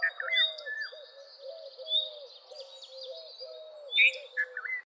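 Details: Red-vented bulbul singing short, slurred, warbling phrases at the start and again near the end, over a steady background of low, hollow, repeated notes and faint high twitters.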